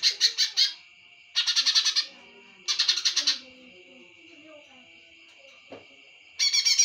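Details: Greater green leafbird singing in repeated bursts of fast, harsh, buzzy notes separated by short pauses. A steady high whine and soft lower warbling sounds run underneath.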